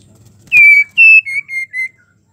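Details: A female white-rumped shama in breeding condition, calling to a male, gives four clear, high whistled notes in quick succession, each slightly lower than the last, over a quiet background.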